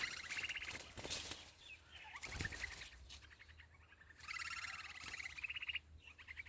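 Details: Sparrow nestlings in the nest calling for food: harsh, buzzy trilling chatters in long loud bursts with brief pauses, mixed with noisy rustling and clicks.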